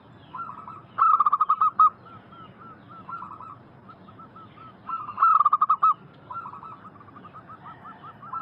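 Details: Lure recording of local zebra doves in vigorous song, meant to make wild doves reply: two loud rapid trilled coo phrases about four seconds apart, with quieter doves cooing continuously in the background.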